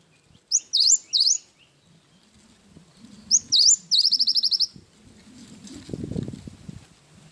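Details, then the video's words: Cinereous tit gives two high swooping whistled notes. After a pause comes a fuller phrase ending in a fast run of ringing notes. Low rumbling and rustling noise fills the later seconds. "Burung gelatik batu gacor isian wingko"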